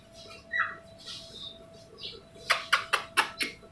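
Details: Green ringneck parakeet kept as a pet, talking: a few soft, speech-like warbled syllables first, then five loud, harsh, clipped squawks in quick succession over a steady background hum.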